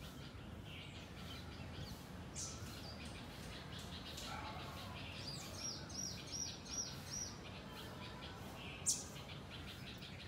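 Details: Garden flock of house sparrows giving a constant chatter of brief, sharp chirps from many birds at once, with a short run of high repeated notes near the middle and a steady low hum beneath.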